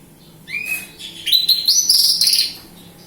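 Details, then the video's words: Local Kediri bush lark giving one short phrase: a rising thin whistle followed by a rapid, sustained jumble of high, bright chirping notes lasting about a second and a half. "Branjagan gacor lokal kediri"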